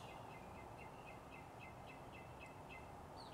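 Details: Three to five wild blue jays in a territorial battle in a backyard tree, giving a steady run of short, evenly spaced call notes, about nine in three seconds, faint over a loud low rumble of background noise.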